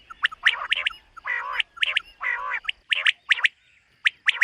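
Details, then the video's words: Common quail on a summer meadow in the morning: nasal, harmonic-rich drawn notes alternating with sharp clipped triple calls. "Common Quail. Bird sounds from summer meadow"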